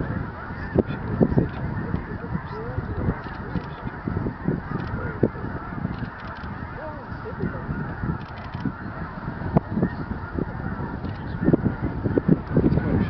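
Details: A large flock of snow geese at Bosque del Apache on 11 November 2011 keeps up a dense, unbroken din of nasal, barking honks, overlapping constantly with no pause.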